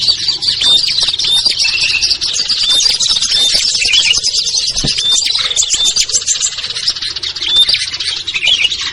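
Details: Small birds lure mix of ciblek, kutilang, trucuk, sogon and perenjak to coax birds downward; steady noisy twittering with short piping whistles recurring about every second.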